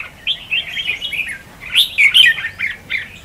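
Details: Short snatch of red-whiskered bulbul contest song used to lure birds into a trap; a bubbling warbled phrase followed by a loud, sharp, ringing flourish.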